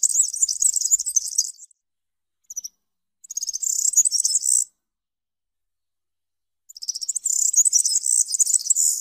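Corn bunting giving three high, dry, jangling bursts, each about one and a half seconds long, separated by short pauses, like a rattled bunch of keys.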